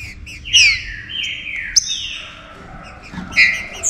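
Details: Green-winged saltator whistling a warm-up song for other saltators: rich downward-sliding whistled phrases with a sharp high accent midway, ending in softer bright notes, against quiet low background noise.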